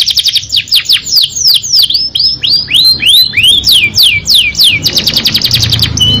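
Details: Canary singing at length, described as 'gacor ngerol nembak' style: rapid series of high, downward-slurred whistled notes, repeated several times a second, shifting into faster trills near the end, with faint low background rumble.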